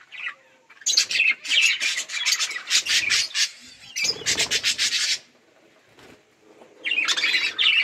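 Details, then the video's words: Several budgerigars eating and playing, giving dense scratchy chirps and chatter in bursts with short pauses between them, mixed with rasping rubbing noises. "Budgies beautiful colors playing and chirping"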